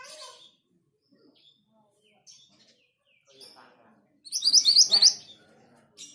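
Orange minivet giving a quick burst of high, thin chirps and sweet notes lasting about a second, with a few faint scattered notes before and after.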